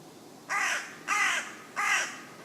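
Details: Common raven croaking up in a tree in woodland in West Sussex, England: three hoarse, evenly spaced caws, each about a third of a second long with a slightly falling tone, against a quiet background.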